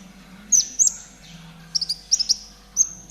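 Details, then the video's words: ['Konin trotol tutor song for caged birds: a few piercing, high whistled notes in pairs and short clusters, separated by pauses, over a quiet low hum.'] "MASTERAN KONIN TROTOL GACOR"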